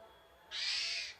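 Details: Basic characteristic song of a Javan pied starling: one coarse, buzzy, rasping note of roughly half a second, standing alone against a faint steady hum.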